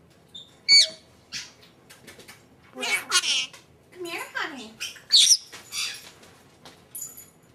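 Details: Female pet Senegal parrot named Vrock talking indoors, saying "Vrockypoo": short, high, raspy speech-like bursts mixed with sharp squawks and a whistled note, with brief pauses between phrases.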